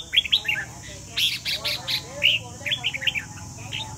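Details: Competition singing by a Vietnamese red-whiskered bulbul, with rapid chirpy, warbling phrases in near-continuous bursts across four seconds, backed by a constant high-pitched hiss.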